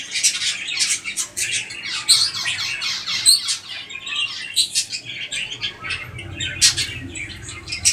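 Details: White king quail (Synoicus chinensis) giving quick, harsh high chirps and squeaky notes in irregular bursts, several every second, in a small indoor space.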